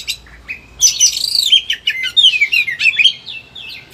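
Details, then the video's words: Caged Oriental magpie-robin in high agitation, recorded to encourage lazy birds to sing, opens with soft whistles then bursts into a dense, fast cascade of descending slurred whistles and twitters. "KACER EMOSI TINGGI BONGKAR SEGUDANG MATERI"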